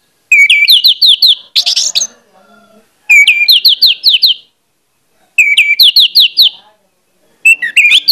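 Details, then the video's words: An Orange-headed thrush gives a persistent provoking song to spark other males. Phrases of rapid, evenly repeated rising whistle notes recur about every two to three seconds, mixed with a harsher, scratchier burst. "pancingan anis merah plong ngotot membangkitkan gairah anis merah lain untuk bunyi"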